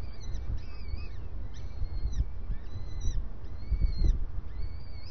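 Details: During breakfast a starling repeats curved, slurred whistles about once a second, each with an upper overtone, over low rumbles and occasional thuds.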